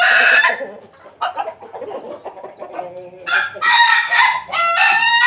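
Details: Loud morning ketawa crowing from a Pelung Bangkok rooster: a strong crow at the start, a lower, rougher middle stretch, then a sustained, ringing, powerful crow that breaks and resumes near the end.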